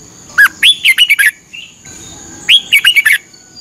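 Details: Red-whiskered bulbul in Thailand, a caged bird's training song played each morning for 30 minutes to help birds learn: two rich whistled phrases about two seconds apart, each of six quick warbled notes, over a steady thin high hum.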